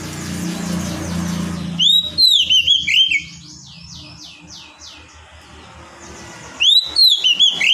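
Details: Kacer, the oriental magpie-robin, singing in two bursts of loud, looping whistled phrases with fast descending chirps in between, separated by a quieter stretch with background hum.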